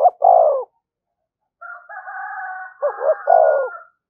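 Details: Spotted dove giving its coo-coo-croo call meant to provoke other doves, opening and closing with hollow low phrases, while a higher, buzzy, drawn-out call from another bird fills the middle.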